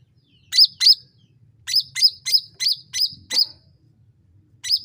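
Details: Sooty-headed bulbul chirps, used as a lure sound to spur other birds into singing, come in quick hooked whistled notes in small groups over a low background rumble, with one soft knock.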